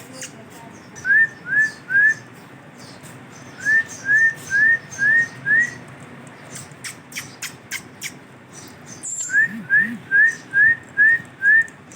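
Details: Pet male ringneck parrot dancing and making funny sounds: short rising whistled notes in three runs of three, five and six, separated by a stretch of clicking taps and soft squawks.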